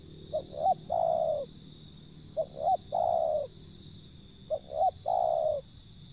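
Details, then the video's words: Three calling phrases from a wild zebra dove, about two seconds apart. Each phrase has two short clipped notes followed by a drawn-out, slightly descending coo. A constant thin high whine sits in the background. "panggilan burung liar si pehang"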